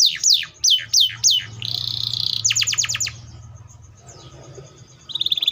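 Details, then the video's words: Singing canary with loud, moody song: fast falling whistled sweeps, a sustained buzzy rattle, a quick run of sharp clicking trill notes, a quieter pause, then a rapid rattling trill starting again. "THE VOICE OF THE CANARIA SERINUS A MOODY SOUND LIKE IN NATURE A LOUD SOUND"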